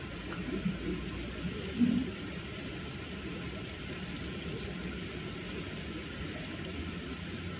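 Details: Male common kingfishers in a territorial fight call in threat: thin, high, piercing notes repeated roughly every half second to second against a constant low background rush.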